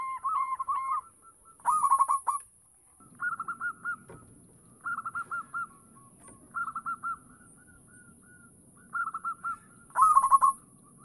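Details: Local zebra dove singing actively, used as a lure for other doves: short bursts of quick, clipped cooing notes at mid pitch, repeated in separate phrases roughly every one to two seconds, with a steady faint high hiss throughout.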